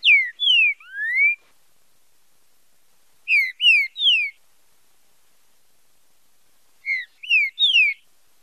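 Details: Caged green-winged saltator song made for training and stimulating young birds' singing, in the fiber style with marcheado phrasing: three loud whistled phrases of slurred descending and rising notes, each about a second long, separated by several seconds of silence.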